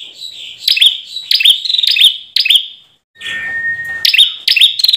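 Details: Ashy tailorbird gives loud, sharp, high chipping notes in quick bursts about every half second, with a brief steady whistled tone midway; the recording is used as a lure and song-tutor sound.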